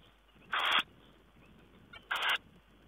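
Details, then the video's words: Tawny owl on 4 June 2010 giving two loud, rasping, noisy bursts about one and a half seconds apart, with a faint click just before the second, against low background hiss. "Tawny owl"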